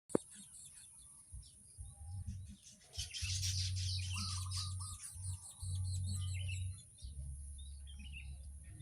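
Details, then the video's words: Weavers calling at a crowded nesting colony with many nests: dense, overlapping high chirps and twitters from many birds, coming in bursts, over a steady low rumble throughout. "Burung manyar palamas banyak bersarang"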